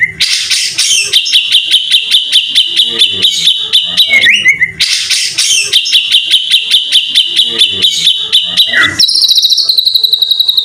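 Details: White-rumped shama gacor full isian song used as a lure and master recording for other shamas: loud dense trilled phrases repeated twice, each ending in a quick downslurred note, followed by a rapid high even trill.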